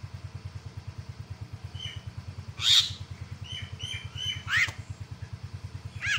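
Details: Myna calls meant to goad an opponent into calling: a string of short whistled notes broken by several harsh, noisy screeches about a second apart, with a rhythmic motor throbbing beneath.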